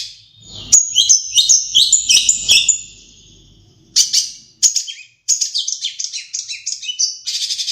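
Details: Madura-type long-tailed shrike singing with imitations of sparrow and Java sparrow: a dense run of high buzzy chattering notes, a pause, then rapid scratchy chirps and trills continuing to the end.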